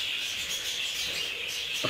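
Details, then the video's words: Budgerigars fighting in a communal aviary, a steady wash of high twittering chatter with a scraping rub near the end. "اشتباك حقيقي بين طيور البادجي"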